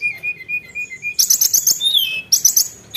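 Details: Sunda bush warbler in energetic full song: a run of level whistled notes gives way to loud, very high chattering bursts and a falling whistled slur.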